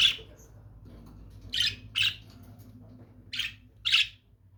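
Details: Lovebird calling indoors: five harsh, buzzy squawks spread over about four seconds, the first at the start and the rest in pairs, with a faint low hum underneath.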